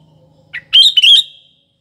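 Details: A lively sooty-headed bulbul, used as a morning, afternoon and night lure, gives one short note followed by a single bubbling, wavering phrase of bright notes that ends in a fading tail, over a faint low hum.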